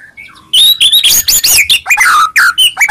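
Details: White-rumped shama song meant to draw a reply: brief soft whistles, then a burst of loud, dense, high chattering and sweeping notes falling into lower warbled phrases.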